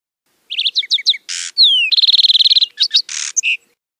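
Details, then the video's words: Lark sparrow singing a varied phrase: quick paired chirps, a harsh buzz, a clear down-slurred whistle, a long rapid trill, then more chirps and a final buzz. No other sounds. "Lark Sparrow Singing! Lark Sparrow Calling! Sound! - Gorrión Arlequín Canto - Chondestes Grammacus"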